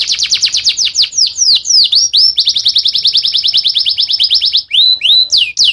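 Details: Singing male canary tutoring fledglings: rapid high repeated notes, swooping slurs, a long even buzzy trill, then a few drawn-out whistles.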